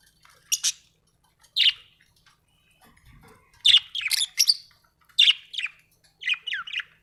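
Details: Budgerigar singing contentedly: isolated sharp tweets at first, then a run of rapid, downward-sliding chirps and twittering notes in small groups toward the end.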